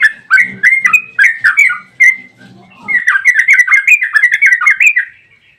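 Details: Yellow-vented bulbul delivering a long 'ropel' burst meant to lure others into answering song: loud clipped chirps with low chatter beneath, a short pause, then a quick even string of bright bouncing notes.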